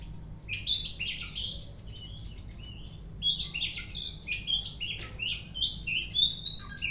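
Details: Oriental magpie-robin singing actively in the afternoon: a rapid, varied run of sweet whistled notes, slurred chirps and short rising and falling phrases, bursts coming several times a second, with a low steady hum behind.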